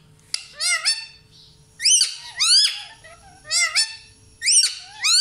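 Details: Parrot giving loud, raspy, harmonic screeches in four bursts, each a cluster of two or three upward-sweeping squawks, separated by short pauses, over a faint low hum.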